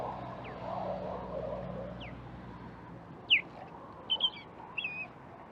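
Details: In January, near heavy traffic, an osprey gives sharp, high whistled notes, a few single ones then a quick double, spaced over several seconds against a low rumble of traffic noise.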